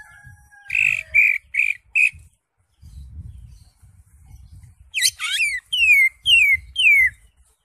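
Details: Lively green leafbird song aimed at prompting a silent caged bird: four short harsh notes, a gap with low rumble, then a jumble of steep sweeps and a run of clear downward-slurred whistles.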